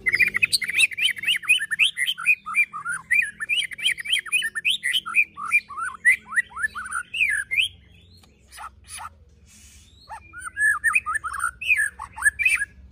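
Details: White-rumped shama, a kept bird, delivering a long, fast song of slurred whistled notes and chattering trills, broken by a short pause with sharp clicks before the rapid phrases resume.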